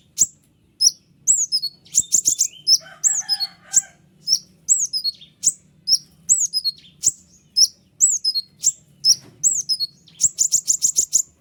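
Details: Sharp, dense song of a white-winged triller for teaching other cage birds: high whistled downslurs mixed with fast buzzy rattles, ending in a long rapid trill; a faint lower warble briefly behind.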